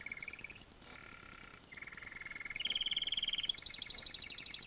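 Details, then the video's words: Canary singing a series of rapid, rattling trilled tours that step upward in pitch: a low buzzy roll, then faster, higher pulsed trills, ending in a bright high rattle, with a faint hiss behind. "singing canary"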